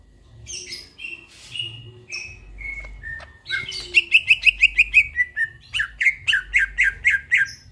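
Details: Greater green leafbird in full song at midnight: scattered high whistles and short downslurs open, then a steady rapid rattle of chirped notes, a brief pause, and another run of evenly spaced chirps.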